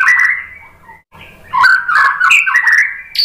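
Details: White-rumped shama song meant to stimulate other shamas to sing: a sustained whistle sliding down, a short gap, then a loud run of warbled, rapidly changing notes.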